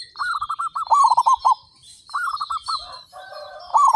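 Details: Zebra doves, thirty-five local birds singing hard, produce a long run of quick beaded coos followed by further trilled phrases from neighbouring birds. A persistent high chirping from other small birds runs throughout.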